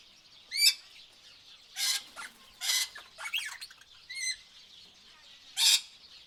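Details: Peaceful tropical bird chorus with several harsh squawks and raspy bursts scattered across six seconds, a few clear harmonic chirps between them, all above a constant shrill high-pitched background hum.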